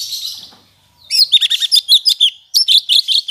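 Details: Black-headed bulbul practising its song after moulting delivers loud, rapid, high twittering phrases of quick chirps, with a short pause in between.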